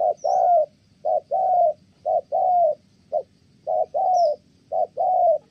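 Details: Spotted dove of Kon Tum, Vietnam, cooing well until interrupted by a female: repeated low hollow short-long coo pairs about once a second, with faint high chirps from another bird.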